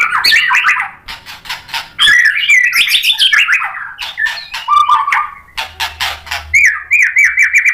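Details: White-rumped shama singing to provoke a reply: rapid varied phrases mixing clear whistles with sharp clicking and harsh notes, descending slurs and a trilled ending, loud throughout with short pauses.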